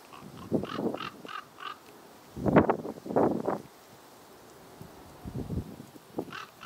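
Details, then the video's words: Common raven (Corvus corax) at Ljubljana Marsh, Slovenia, on 17 November 2023, giving deep, hoarse croaks in short bursts, several calls spread over a few seconds, with faint higher calls in the background. "Corvus corax KROKAR"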